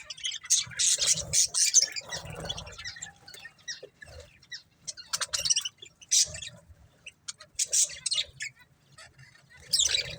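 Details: Budgerigar breeding pair chirping in quick bursts of scratchy notes and buzzy chatter, separated by short quiet gaps, with brief louder squawks.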